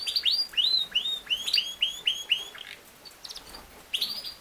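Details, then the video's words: Yorkshire canary (king size canary) sings a series of clear, whistled notes that rise and then drop, about four per second, trailing off into soft chirps before a final bright burst. "BEST CANARY SINGING | your Canary will sing within 5 minutes | Canary ki aawaz"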